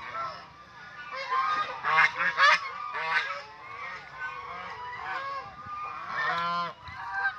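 Several geese honk in an overlapping chorus of harsh, nasal calls, roughly two per second, rising and falling in loudness, with no other sounds standing out.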